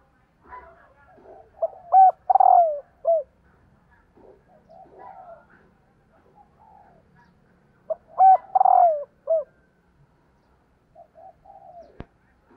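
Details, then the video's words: Female spotted dove giving its male-exciting call twice, about six seconds apart: each phrase has rapid short coos, a rattled stutter and a falling final coo, with soft murmurs between and a sharp click at the end. "CU GÁY MÁI KÍCH TRỐNG"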